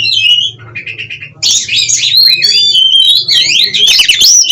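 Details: Captive Oriental magpie-robin in Cirebon, Indonesia, singing rapid 'konslet' song with puffed feathers and spread tail: a few quieter whistled notes open, then a loud, sustained flow of swooping whistles and buzzy trills.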